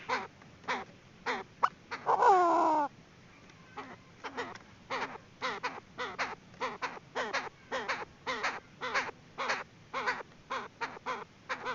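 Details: Female Chinese francolin decoy call for trapping: steady series of sharp clucking notes, about two per second, with one longer harsh squawk early on.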